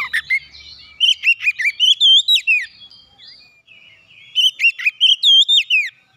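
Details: Oriental magpie-robin (kacer) provoked into an agitated, heated state, unloading its learned song repertoire (isian): loud bursts of rapid whistled and chattering notes, rising and falling, in two bouts separated by a short quiet gap.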